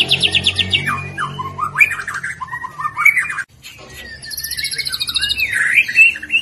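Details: Caged young white-rumped shama singing a varied, stuffed song: rapid trills near the top, rising and falling whistled phrases, brief pause midway, then buzzy high notes and sliding whistles; low hum underneath.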